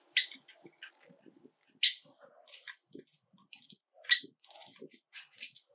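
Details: Seven domestic Java sparrows in a room. Loud single chirps come every couple of seconds, separated by quieter clicks and soft twittering.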